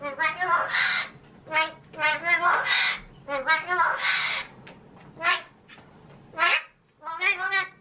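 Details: Male pet magpie talking his head off, imitating human speech: a run of scratchy, voice-like syllables in uneven bursts, some rising and falling like spoken words, with short pauses between phrases.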